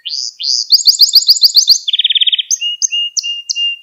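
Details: Singing Gloster canary, used to stimulate other canaries: rising swept notes, a fast series of bright repeated notes, a low rolling trill, then spaced whistles and chirps.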